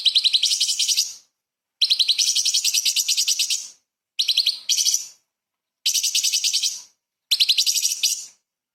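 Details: Cucak cungkok, or light-vented bulbul, firing 'tembakan' song with small-bird fills as a model for shamas and magpie-robins; five separate bursts of fast, high-pitched chattering chirps, each about one to two seconds long.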